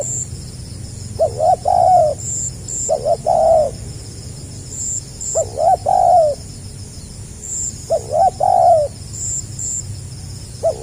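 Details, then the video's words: Repeated stammering coos from a spotted dove in the 'gagap rapat selang nguku' style, 2020: about five low phrases, stutter then sustained mellow note, coming every two seconds or so, over a thin high chirping background. "SUARA BURUNG TEKUKUR GAGAP RAPAT SELANG NGUKU"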